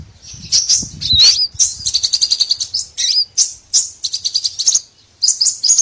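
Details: Small birds twittering, meant as a lure for trapping: thin high chirps in quick rattling clusters, a sharp slurred note near the start, with brief pauses.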